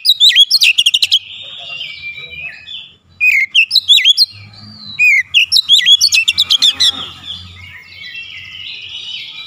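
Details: Oriental magpie-robin in "nembak" (shooting) song, unloading its repertoire: rapid bursts of sharp repeated notes in fast rattling runs, mixed with looping whistled phrases and sweeping chirps, then a long twittering passage. Faint low rumble underneath.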